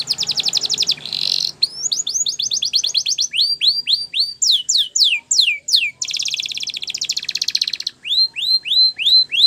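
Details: Canary song used for training canaries to sing, in Spanish Timbrado style: rapid trills of repeated notes, buzzy rolls, and series of rising and falling whistled slurs, each phrase repeated several times in quick succession.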